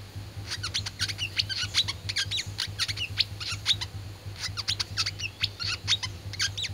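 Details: Oriental white-eye, known locally as wiceh, in fighting-style (tarung) song: rapid, dense bursts of high, sharp chirps and twitters in two long runs separated by a brief pause, over a steady low hum.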